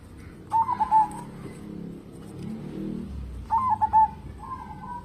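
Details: Local zebra dove, singing actively as a lure for other birds: two trilled cooing phrases of quick stuttered notes about three seconds apart, a low rumbling background noise between them.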